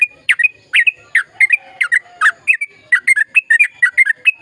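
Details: Sooty-headed bulbul singing continuously, played to stimulate silent birds to sing: a steady string of bright, bubbly, slurred two-part notes at mid pitch, about four per second, growing quicker toward the end.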